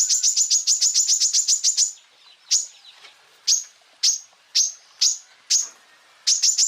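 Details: Greater green leafbird (cucak ijo) singing a training song for other birds: a fast series of high, piercing chirps, then single sharp notes spaced about half a second apart, then a renewed quick flurry.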